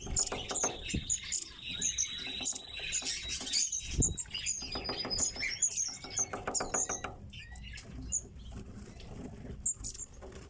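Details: Captive tits kept by their owner give high, thin chirps and short twittering notes in quick scattered bursts, with fluttering wings and soft rustling and tapping alongside.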